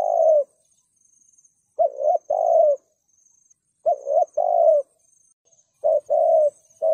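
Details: Spotted dove repeating its thúc gù coo as a lure for wild doves: low double coos, a quick note then a longer smooth one, roughly every two seconds, a faint high whine persisting underneath.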